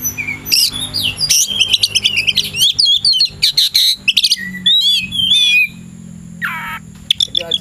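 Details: Oriental magpie-robin in the afternoon, ready to fight a rival, singing a long energetic medley of high chips, whistles and trills, then pausing before a buzzy slur and a few sharp notes.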